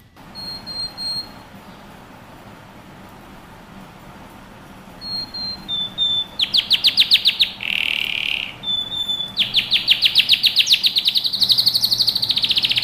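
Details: Male canary singing excitedly to a female to mate: soft, scattered high whistles in a quiet room give way to loud, fast pulsed trills, a buzzy note, and a long rising, rattling trill.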